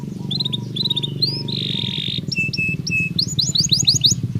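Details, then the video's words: Canary singing naturally, meant to ready birds for the mating season: varied phrases of piping whistled notes, a sustained buzzy tone, then quick rising trilled bursts, over a steady low hum. "تغريد كناري طبيعي"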